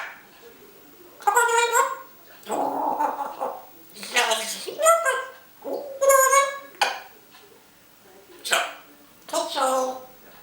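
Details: A female pet talking Grey Parrot, filmed secretly at home, talks in short speech-like bursts such as "hello" and "what's", with nasal, harmonic tones and gargled sounds separated by brief pauses.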